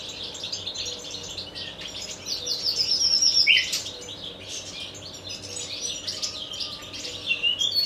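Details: Nightingale singing a varied song: high whistled notes, a quick series of sharp repeated clicks and a rising slur, over a steady low hum and faint background bird chatter.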